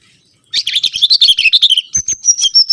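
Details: Lure recording of the mangrove whistler: a dense, fast chattering of warbled notes for over a second, then a series of high, even whistles.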